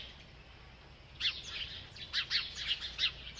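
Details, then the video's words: Bird chirping as it eats: near-silence for the first second, then a run of sharp, high chirps roughly every third of a second, irregularly spaced. "This Happy Bird Won’t Stop Eating and Chirping"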